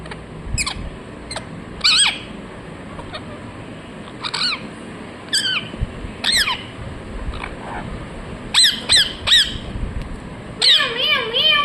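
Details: Ringneck parrot giving scattered harsh chirps and squawks, single notes early then quicker paired bursts later, ending in a wavering screechy call, with light background noise.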